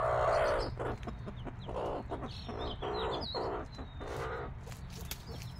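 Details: Mother hen with her five-day-old chicks: a loud opening cluck, then a series of low, rough clucks about every half second, with faint high chick peeps above and a low hum.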